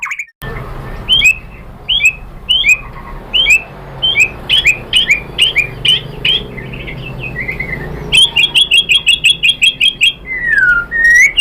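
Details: White-rumped shama song used to provoke other birds into singing: spaced paired whistled notes over steady background hiss, then a rapid run of repeated high notes and a long, clear descending-then-rising whistle.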